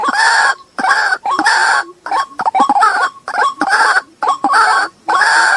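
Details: Lure recording of the white-breasted waterhen, used to make waterhens approach agitated: repeated harsh, grating croaks roughly half a second long, some starting with a rising note, separated by short gaps.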